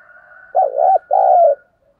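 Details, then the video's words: Morning lure call of a spotted dove: a soft hum of background birds, then two deep, buzzy coos, the first wavering and the second drawn out and sliding slightly downward. "tiếng cu gáy gọi"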